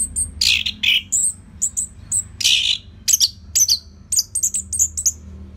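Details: Orange-headed thrush (Geokichla citrina), a kept songbird from northern Bali, Singaraja, used as a training song for other birds: loud bursts of high, varied whistles and harsh rasping notes, phrases separated by short pauses, with faint low hum behind.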